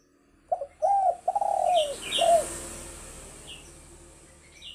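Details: A spotted dove gives its luring call, a quick short note then smooth low coos with a downward-curving middle coo and a short final one. Scattered high chirps from other birds sound over a steady background hiss.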